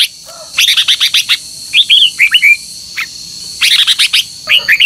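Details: Lure recording of a red-whiskered bulbul's morning dueling song: a quick stutter of sharp chirps, then curling whistled phrases and a single clipped note before more rapid chirping.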